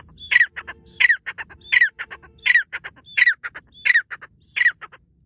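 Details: Francolin calling from cover in forest bushes: seven loud, grating phrases spaced about every 0.7 seconds, each a sharp rasping note trailed by quick staccato clicks, on a quiet background.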